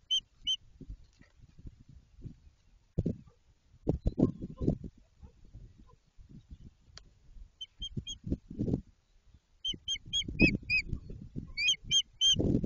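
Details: White-tailed eagle at its new nest site near Jedwabno, Poland, as construction starts: sparse rustling and knocking, with scattered, then quickening clusters of thin, high yelping notes toward the end.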